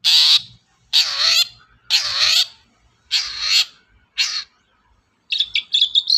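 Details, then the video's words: Long-tailed shrike lure sound meant to prompt other birds to sing: five rough, grating screeches about a second apart, then a quick burst of stuttering chattered notes at the end. "suara pancingan burung cendet"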